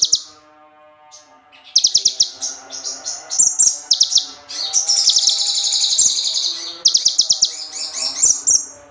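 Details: Bar-winged prinia song as training material: dense high-pitched buzzing trills and rapid stuttering notes in runs, with a long continuous buzzy stretch midway, over faint lower tonal sounds.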